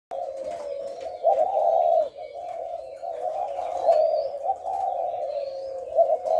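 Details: Spotted dove cooing in the thổ lối style, recorded 18 September: deep, hollow, throaty coos around one second long, strung together in near-continuous phrases with short breaks, over faint background hiss.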